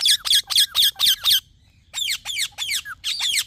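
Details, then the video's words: Talking parrot giving a rapid series of loud, harsh downward-sweeping chirps, about six in quick succession, a short pause, then another run of slurred descending squawky notes. "Talking Parrot Chirping Sounds"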